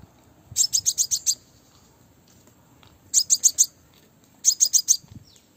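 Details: Crimson sunbird hen giving the call used to attract males for bird trapping; a rapid string of six high, sharp ticks, then after a pause two shorter bursts of four, over a quiet background.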